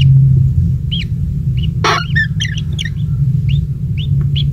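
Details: Lone kingfisher nestling being fed insects by a parent; scattered bright chirps, a sudden clatter in the middle followed by a busy cluster of notes, then spaced single chirps again, all over steady low rumble.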